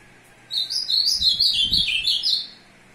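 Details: Male ultramarine grosbeak (Cyanoloxia brissonii) courting a female, 2 June 2022: a rich, warbled two-second song phrase of high, sliding notes, with a few low thumps partway through.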